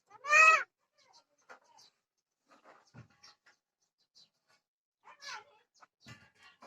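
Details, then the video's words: A myna, locally called Desia rami, "speaks" in Odia with one loud, harsh, voice-like utterance in a nasal, bleating tone, followed by faint scattered clicks and soft murmurs. "Odia Myna chadei Speak"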